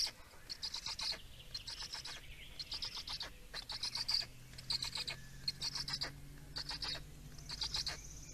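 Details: Black storks in Estonia at feeding time, 17 May 2019: a steady run of harsh, scratchy, stuttering bursts, each made of fast broadband clicks, repeating roughly every half second to second, with a low hum beneath.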